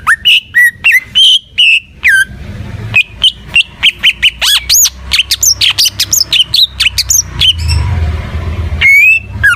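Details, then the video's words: Greater green leafbird singing full gacor: rapid sequences of loud whistles and upswept chirps, some notes rising steeply, a slight rumbling background, and a long rising whistle near the end. "Suara Burung Cucak IJO FULL Gacor"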